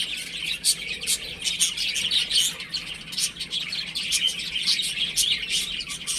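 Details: Chicks at play indoors at home giving many bright, high-pitched tweets in quick succession, several birds calling over one another without pause.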